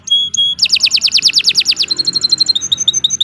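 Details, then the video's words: Canary song used to train other birds: two clear whistled notes, a fast run of loud sweeping notes, then quicker thin high pips repeated rapidly. "Suara Burung Kenari II GACOR PANJANG Cocok untuk Masteran"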